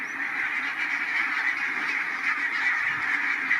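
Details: Barnacle geese resting at a migration stopover on the coastal meadows of Matsalu National Park, Estonia: a dense, continuous chorus of high, yapping calls from many birds overlapping into a steady chattering roar.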